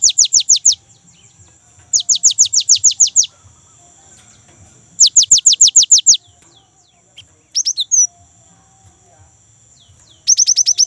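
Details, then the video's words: Young great tit singing eagerly as a lure for caged tits: phrases of six to eight quick, high, sharply falling whistles come in bursts, with pauses of a second or two and one brief doubled note between. "GELATIK BATU MUDA GACOR | Glatik Ngerol Untuk Pancingan Gelatik Batu"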